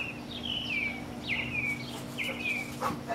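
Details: Birds singing in a backyard: three clear, whistled phrases that slide downward, repeated roughly every second, over a steady low hum and a few faint clicks.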